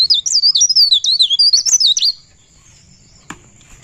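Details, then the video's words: Pare pare bird rolling out a quick two-second string of high, wavy whistles in ngerol style, then falling silent apart from a single faint click. "Burung Pare Pare Ngerol Bukpar"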